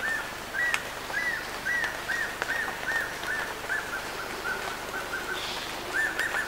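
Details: An ornate hawk-eagle at Bilsa, Ecuador, gives a series of about ten clear, arched whistles, three per second, fading slightly before resuming, over a steady background hiss.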